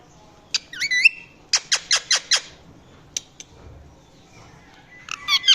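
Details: Indian ringneck parakeet, a talking pet, making different sounds: a few sharp squeaky notes, then a quick run of five descending chirps, followed by scattered clicks and a closing cluster of shrill squeaks.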